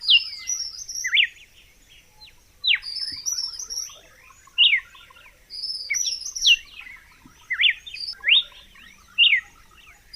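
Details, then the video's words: Red-cowled cardinal delivering clustered bursts of clear, rapidly falling whistles, phrases separated by short pauses, over a quiet background. "Som limpo do canto🎵 do Cardeal do Nordeste"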